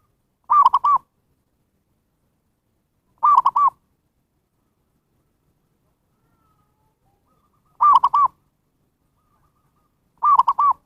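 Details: Zebra dove call used as a lure for wild birds: four rolling three-part cooing phrases of mid-pitched humped notes, spaced irregularly two to four seconds apart, with silence between.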